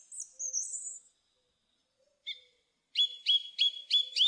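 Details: Thrush song opening with a thin, very high squeaky phrase, a short pause and a single note, then a sharp repeated note given five times rapidly.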